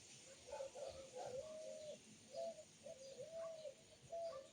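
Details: Bird singing: a series of low, hollow, cooing notes, some short and some drawn out and level, repeated roughly every second over a faint steady background hiss.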